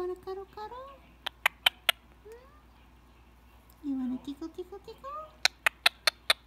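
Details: Pet Indian ringneck parakeet relaxing during head scratches before bedtime, most talkative in the evening; soft rising chirps and mumbled speech-like notes mixed with sharp clicking sounds indoors.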